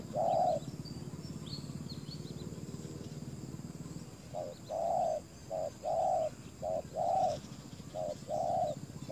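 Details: Spotted dove kept as a lure for wild doves: after a few quiet seconds with a single coo, paired coos resume, short then long, repeated regularly; low rumbling background and faint high chirps.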